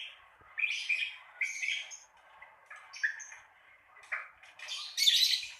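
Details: Ngekek from a lovebird, used to encourage novice birds to sing. About six short, harsh chattering bursts are spaced by quiet gaps, and the last one is the loudest and highest.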